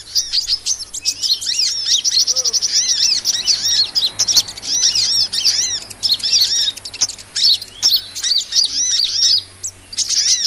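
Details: Sunbird calls used as a lure for catching small birds: a busy stream of sharp, high-pitched tweets and short slurred notes, nearly continuous and overlapping, with short gaps near the end.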